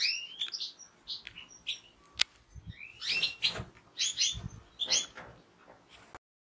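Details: European goldfinch song from a kept bird: lively twittering bursts of chirps and rising whistles in phrases about one second long, with occasional sharp clicks.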